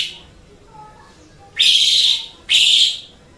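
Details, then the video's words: Asian pied starling recorded as training audio for pet songbirds, giving two loud, broad, harsh rasping phrases of about half a second each, a second apart, after a quiet start. "Suara Burung Jalak Suren"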